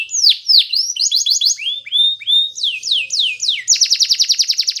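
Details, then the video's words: Singing Belgian canary for teaching young canaries: a series of swooping downslurred whistles in groups of three or four, sliding notes at varied pitches, ending in a quick bright trill of evenly repeated high notes. "Belgian Canary Training for Early Childhood Canaries so that they sing diligently"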